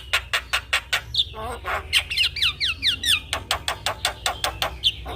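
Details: Javan myna singing vigorously while nodding its head, kept as a master song for training and luring young mynas: fast runs of harsh, evenly repeated notes broken by whistled downslurred and buzzy phrases, then the rapid repeated notes return.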